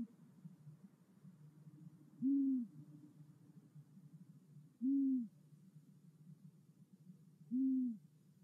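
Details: Male long-eared owl (Asio otus) at a white storks' nest in Hungary, 1 February 2024, hooting to attract a female: three low, soft, slightly arched hoots about every 2.5 seconds over a steady low rumble.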